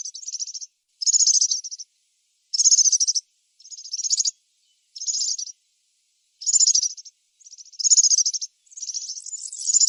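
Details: Wild European serin in song, delivering rapid, glassy, jingling trill bursts very high in pitch, each lasting under a second with short gaps, steady and clear without other noise.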